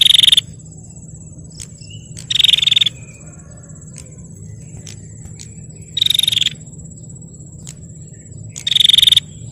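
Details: Female bar-winged prinia calling to provoke males: four sharp bursts of high, buzzy, rapidly pulsed notes, spaced two to three seconds apart, over a steady high electronic-like whine and low rumbling background noise.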